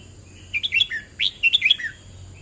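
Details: Red-whiskered bulbul singing the double-rik song. Chirpy whistled notes end on a lower tone, then a second phrase opens with a strong upswept whistle and rolls through quick bright notes. A quiet constant hiss persists.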